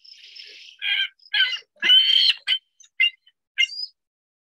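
Ring-billed Gull long call: a harsh opening note, then six or seven slow, hoarse, fairly high squawks about half a second apart, with no other sounds.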